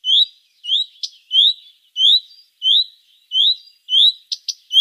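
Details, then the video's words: Common redstart call, a clear, quickly upslurred whistled 'hweet' ('fuid') repeated about every half second, with short, dry 'tick' clicks slipped in between. "Rufe: Gartenrotschwanz"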